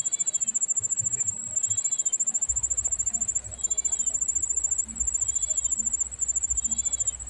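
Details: Bar-winged prinia nestlings calling from hunger as the mother feeds slowly; short arched, nasal notes come in a regular series every second or so beneath a steady shrill cricket drone, with a low rumble from halfway.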